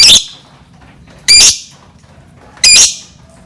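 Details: Lovebird calls played as a lure for other birds: three strident, raspy squawks repeated roughly every 1.3 seconds, very high and harsh, over a low background hum.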